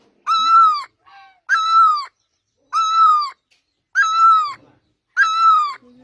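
A great barbet gives five loud, mewing, slightly falling wails, each about half a second long and roughly a second apart, with a fainter note between the first two.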